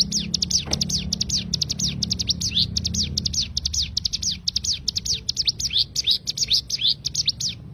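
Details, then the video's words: Tutor recording of a cigun bird's rapid 'tembakan' song: a long, unbroken stream of crisp high chirps and downward slurs, growing more clipped and rhythmic toward the end, over faint low hum. "Tembakan burung cigun untuk masteran terbaik"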